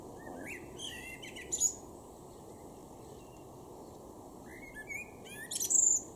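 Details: A male common blackbird sings in a garden in Weener, East Frisia, northwest Germany, in May 2023: two phrases about three seconds apart, each a low mellow warble ending in a thin, squeaky high twitter, over a low rumble.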